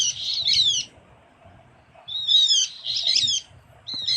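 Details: Lure call of the Javan grey-throated white-eye, Java: three bright, scratchy bursts of rapid slurred whistles, each under a second long, separated by clear pauses over a faint low hum.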